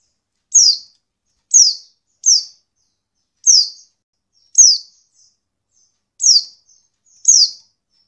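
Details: High descending whistled notes from a female Oriental white-eye, a call meant to get lazy males singing, repeated at uneven intervals about once a second, seven notes in all over clean silence.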